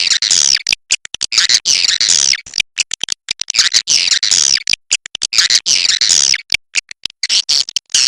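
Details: Swiftlet calling along the Kapuas River, a series of rasping, downward-sliding buzzes that recur in waves, interspersed with dense bursts of dry clicks and brief pauses.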